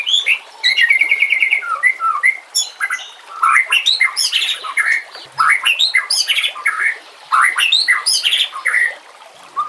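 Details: White-rumped shama (murai batu) song used as a training recording for other birds, set against nature sounds and trickling water: varied loud whistled phrases, upslurred notes and harsh squawky bursts, delivered in clusters separated by brief pauses.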